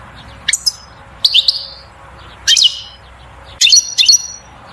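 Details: European goldfinch in bitbita song to excite the female toward mating and nest building; four separate bursts of bright, slightly buzzy twittering notes roughly one second apart.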